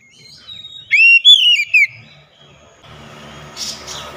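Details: Oriental magpie-robin song used as a lure: one loud whistled phrase sweeping up and sliding down, followed by a rumble of background noise.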